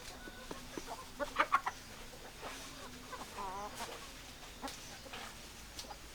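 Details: Hens clucking with a short burst of sharper squawks early on and a wavering, quavering call midway, other soft clucks spaced through the rest over a constant low hum.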